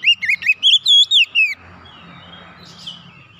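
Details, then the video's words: Oriental magpie-robin song, used to get a bird that has stopped singing to sing freely again: a rapid run of loud, clear whistled notes rising and falling, ending in a downslurred whistle, then quiet with a faint low hum. "KICAUN MENGATASI KACER MACET BUNYI KEMBALI GACOR"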